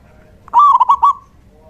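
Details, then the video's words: Single song phrase of a lively male local zebra dove, a decoy for luring doves: a short, rolling coo of four rapid pulses at steady pitch. "Suara perkutut lokal jantan GACOR"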